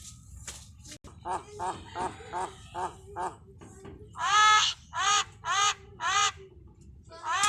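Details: Common myna talking in village dialect, mimicking human speech: a run of short nasal harmonic syllables roughly every half second, then louder, longer drawn-out calls, with a faint background hum.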